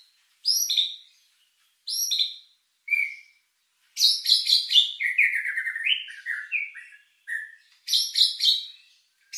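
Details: White-rumped shama singing a richly filled lure song to raise emotion and breeding drive: sharp high chirps repeated at intervals, then a fast rattling run of mixed notes that slides into lower whistles before the chirps return.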